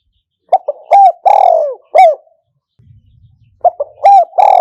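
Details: Spotted dove kept as a decoy for old-style enclosure trapping, repeating its cooing phrase twice: short stuttered notes, a strong coo, a long descending coo and a closing note, with a low faint rumble in the gap.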